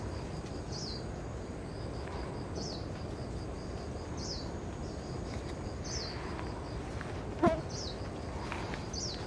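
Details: Dark-sided flycatcher in Yilan, Taiwan, giving thin, high, short squeaky notes about every two seconds over a steady low rumble of background noise, with one sharp knock.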